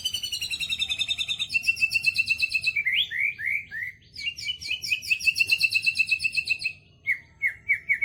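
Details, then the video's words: White-rumped shama (murai batu) song: long runs of rapid buzzy trills mixed with steady whistled notes and downslurred whistles, with a low background hum. "MURAI BATU ISIAN KAPAS TEMBAK SAMBUNG LOVE BIRD"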